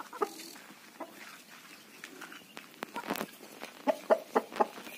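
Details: Native desi rooster: mostly quiet background with a few scattered soft notes, then a closing run of four loud, evenly spaced clucks in quick succession.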